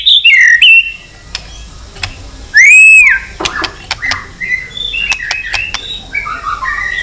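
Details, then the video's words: White-rumped shama singing to provoke fighting, with tail-flicking clicks. Short whistled phrases, one loud arching whistle, then sharp clicks and scattered quieter notes. "chòe lửa kéo dây dài cực phê. đập tạch đuôi kích đấu. chòe lửa hót giọng dài kích lửa"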